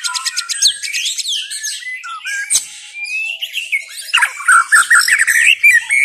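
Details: White-rumped shama singing a busy, varied song: rapid high chattering notes, whistled slurs and sharp sweeps in quick succession, with a click in the middle.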